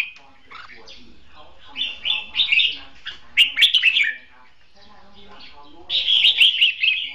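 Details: Decoy red-whiskered bulbul in a cage, singing in competition style: three clusters of rapid bubbly warbled notes after a quiet start, the last burst bright and sustained.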